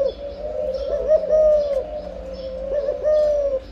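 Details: Spotted dove in breeding condition gives a steady run of mellow, low coos, the notes blurring into one another with slight rises and dips.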